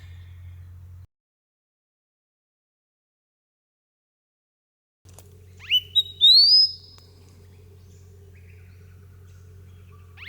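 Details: A male southern scrub robin, perched on a cut-off log outside Melbourne, Victoria, sings very close and unafraid: a brief burst of thin, sharply rising whistled notes over a low steady wind rumble.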